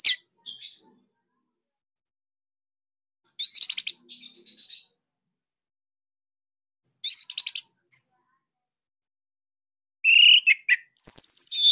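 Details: Orange-headed thrush (Anis Merah Bali) song for training cage birds: scattered bursts of rapid rattling trills and buzzy notes, then bright slurred whistles near the end, with long quiet pauses between phrases.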